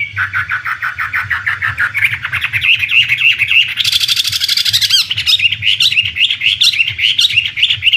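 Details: Hwamei, the Chinese contest songbird, delivers a rapid rattling series of repeated notes, then a burst of harsh broadband noise, followed by quick rhythmic whistled trills.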